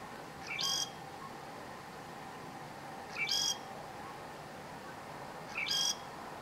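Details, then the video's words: Southern grey shrike singing in northern Lanzarote in October 2018: three short phrases, each a thin rising note followed by a harsh, buzzy high burst, repeated roughly every two and a half seconds over a steady background hiss. "(Southern Grey) Shrike song"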